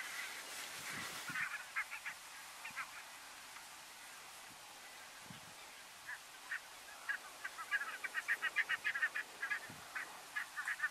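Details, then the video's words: Taiga bean geese (Anser fabalis) at Uitkerkse Polder, Belgium, in December 2022, give nasal honking calls, scattered at first, then in quick overlapping bursts of several birds toward the end. "Oie de taïga (Anser fabalis) Taiga Bean Goose"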